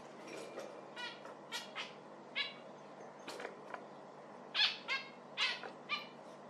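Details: Zebra finch beeping in a steady series of short, nasal, harmonic notes, getting louder and more frequent toward the end, against steady low hiss.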